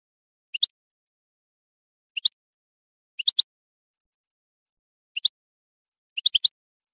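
A goldfinch gives bright, high chirps in quick pairs and triplets, spaced one to two seconds apart, with quiet in between.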